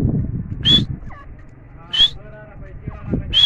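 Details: Strident, piercing calls of a grey francolin, three sharp, high ringing bursts about every 1.3 seconds, standing out clearly above faint low voices and soft background rumble.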